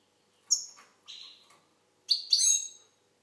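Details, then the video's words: Algerian goldfinch with a few sharp, high notes followed by a brighter liquid trill that falls away at the end, all within about three seconds; no other sounds. "Chardonneret algérienحسون. مقنين"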